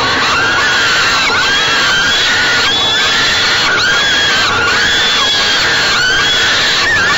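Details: Young falcons beg during a parental feeding at their nest box, Great Spirit Bluff, 28 May 2013, 6 pm; overlapping, insistent screeches, several sliding upward then falling, crowded and continuous.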